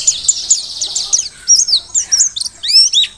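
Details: Mountain white-eye from Merapi, caught in the wild, giving a quick series of high chirps, then separate slurred whistles rising and dipping sharply.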